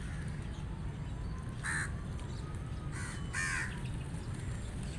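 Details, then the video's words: A rook gives three harsh, hoarse caws, one then a quick pair, over a steady low rumble of wind or distant traffic. "Rook Bird Voice Sound"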